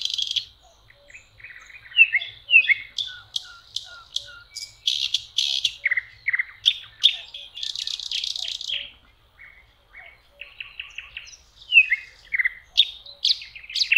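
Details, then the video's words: Common nightingale in song beside a lake in spring, May: rich, varied phrases of loud clicks, descending whistles, quick repeated chips and buzzy bursts, separated by brief silences. "Соловьи. Волшебное пение в мае. Nightingale singing"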